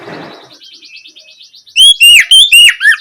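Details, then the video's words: Oriental magpie-robin ngeplong lure song in the afternoon, aimed at prompting others to reply. A soft rustle and a thin, fast repeated ticking come first, then loud, clear, downward-curving whistles in the last second. "Pancingan suara Kacer ngeplong sore hari untuk merangsang Kacer supaya lekas nyaut bunyi"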